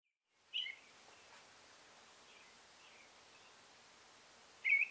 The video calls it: American Male Robin Singing